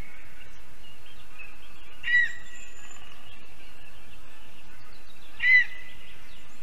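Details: Two short, high-pitched yelps about three seconds apart from a female lesser spotted eagle, back from Africa to breed at her spruce nest in Zemgale, Latvia, on 11 April 2022 around 6 PM.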